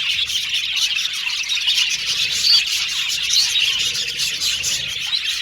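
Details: A colony of Australian budgies in an aviary chirping together: steady dense warbling chatter, high and bright, with a few clearer whistled notes standing out midway.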